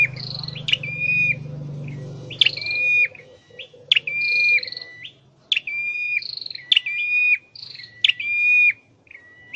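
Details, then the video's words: Caged scarlet-headed flowerpecker under song training gives six or so rapid phrases, each a quick chirp, a higher brief note and a long flat whistle, over a low hum that fades midway. "Deep red-headed birds(Dicaeum Trochileum): Birds thoroughbred training for singing chirped"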